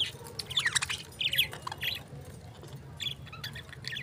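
Lovebirds give shrill, scratchy chirps and squeaks in quick bursts of several notes, with short pauses between, over a faint low hum.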